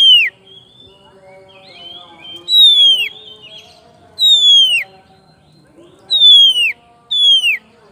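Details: Oriental magpie-robin singing to call its rival: loud, clear whistles sliding downward, given in separate bursts roughly every one to two seconds with quiet gaps and faint low hum beneath.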